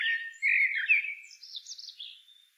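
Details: Continuous Blackbird phrase: rich, mellow whistles in the middle range that flow into a thin, wavering high twitter, then fade out.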